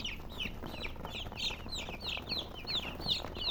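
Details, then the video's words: Chirping from colored chickens: bright, high peeps that slide downward, several birds calling over one another in an unbroken stream. "silly chicken chirping sounds with murgi hen color chicken"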